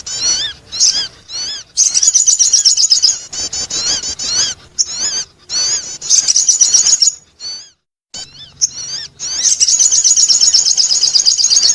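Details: Sogon bird attracting call, dense, rapid, very high chirps and twittering trills, several notes a second, in bursts broken by short pauses.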